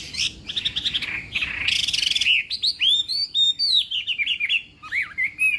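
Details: Chinese hwamei in morning voice training for a singing contest: opens with rapid buzzy trills, then clear, loud whistled phrases rising and falling, separated by short pauses.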